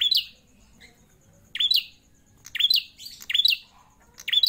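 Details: Prinia held captive for over four years calls loudly, giving sharp high chirps in quick bursts, some doubled, with brief pauses between groups and a soft background hum.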